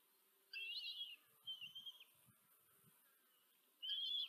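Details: Four common kestrel chicks fed by their mother at a Tiszanagyfalu, Hungary nest on 14 July 2023; three shrill, quavering, drawn-out calls with faint low knocks between them.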